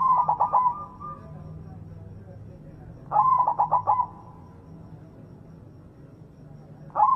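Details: Repeated song of a white zebra dove with a big voice, used to get other doves singing: three phrases roughly three seconds apart, each several fast rolling coos and a short held tone, over a steady low hum.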